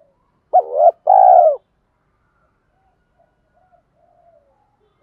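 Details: A single low coo phrase of a spotted dove, short bent note then a sustained hoot, followed by near silence and faint soft notes; a keepers' recording of male and female birds meant to prompt cooing.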